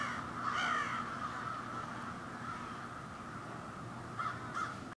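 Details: A crow roost in tall urban trees in Ontario, Canada: a few hoarse caws at the start, then a steady din of distant cawing from many birds, with two more clear caws near the end over low rumble.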